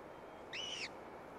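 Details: A single drawn-out arched squeal from a downy gyrfalcon brood at a cliff eyrie, just after the gray female returns with food; steady background hiss.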